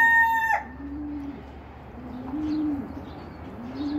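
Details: Fancy ornamental pigeons from a mixed collection of breeds give low, soft coos in slow rising-and-falling arcs, about three in four seconds. The tail of a rooster's crow rings out at the start.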